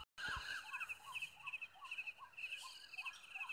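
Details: In Nepal, an Oriental magpie-robin (Copsychus saularis) gives short, upslurred calls about three times a second over a steady, high insect-like drone.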